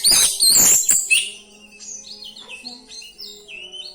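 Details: Oriental magpie-robin singing fill-in material to provoke other magpie-robins: two loud rasping bursts open, followed by a quieter run of clear whistled notes sliding downward and upward.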